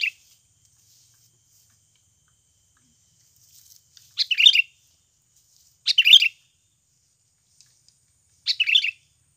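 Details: Sooty-headed bulbul lure sound, used to make young birds start singing quickly: three short bubbly chattering bursts spaced about two seconds apart, with quiet gaps between.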